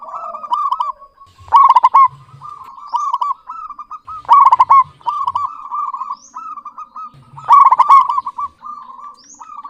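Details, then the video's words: Local zebra dove singing actively with a clear voice: soft, rolling mid-pitched coos run almost continuously, broken every three seconds or so by a loud, rapid staccato cooing burst, three bursts in all, in a quiet setting. "Perkutut lokal GACOR suara jernih BAGUS MEMIKAT"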